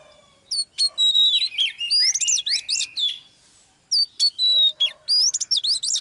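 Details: Live training with a female Oriental magpie-robin to fire up a male: a tumbling sequence of whistled slurs and buzzy sweeps, a second-long pause, then another bright burst of varied notes.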